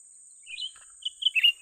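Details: Brief burst from a young Grey-bellied Bulbul during trapping: a slurred chirp followed by three quick bright notes, over a continuous thin high hiss.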